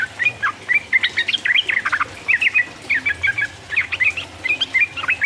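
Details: Yellow-vented bulbul song used as a lure to provoke rival birds and get kept birds singing: lively, chattering runs of short warbled notes in quick bursts, with brief pauses between phrases.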